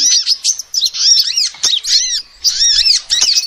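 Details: Female sunbird calling, used as a lure to attract birds: rapid high twittering of arched, sliding notes in dense bursts broken by short pauses, with no other clear sounds.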